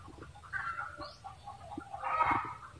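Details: Cackling red junglefowl: a drawn-out harsh note followed by clucks and a louder rasping burst, with a faint rising whistle from another bird in the background.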